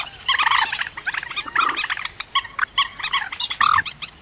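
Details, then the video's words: Rail calls used as a trapping lure: harsh, stacked, nasal notes in quick uneven bursts, some drawn into short honks, others clipped and repeated rapidly, with no other clear sounds. "Tiếng cuốc biển chuẩn"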